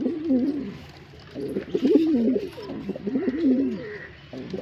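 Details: Male pigeon cooing in three rounded bursts, each a throaty, undulating phrase climbing and falling in pitch, separated by short quiet gaps.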